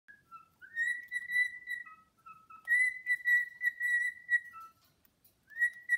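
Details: A male cockatiel serenades an uninterested female with a clear, sustained courtship whistle of long held notes and short lower dips.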